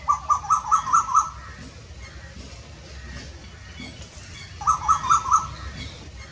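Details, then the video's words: An Asian koel in Jammu and Kashmir gives two quick bursts of about six sharp, harsh notes at a fast even pace, repeated after a pause of about three seconds, over soft background hiss. "KOYAL KI AWAJ कोयल की आवाज"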